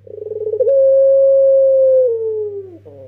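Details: Young pelung Barbary dove used to lure other doves: accelerating pulsed notes swell into one long, even, hollow coo that slowly bends downward and fades, over a steady low hum.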